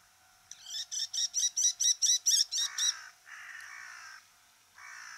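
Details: Bull-headed Shrike, a bird of Japanese farmland, grassland and waterside: a fast run of about ten shrill, harsh notes, four a second, followed by lower, rasping, buzzy chatters.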